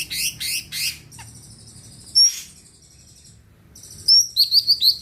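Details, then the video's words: A greater green leafbird sings energetically to provoke rival birds into song. Three rapid buzzy notes open, a sustained thin high trill follows, then a sharp upslurred whistle and a quick series of bright rising chirps. "Cucak ijo gacor di jamin bikin yang lain ikut rajin bunyi dan emosi"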